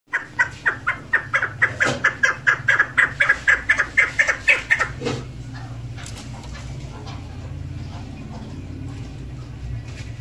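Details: Female chukar partridge, a hunter's bird, giving a quickening run of clucking notes for about five seconds, then falling silent while low hum and faint noise continue.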